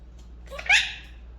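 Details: A pet monk parakeet, speaking indoors, utters a single short, raspy, word-like sound, rising then falling, over faint indoor hum.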